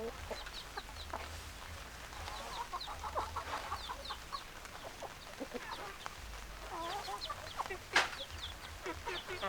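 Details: Hens clucking together in a busy chorus of short clipped clucks and murmurs, a louder sharp call near the eighth second, with an intermittent low droning hum beneath.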